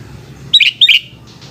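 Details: Afternoon song of a sooty-headed bulbul: two clear, bubbly whistled notes in quick succession, each with a short downward slur, above a soft low background hum.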